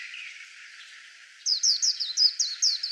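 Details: White-eye song: after a quiet start, a fast run of about nine high, bright notes, each dropping in pitch, repeated evenly in rapid succession.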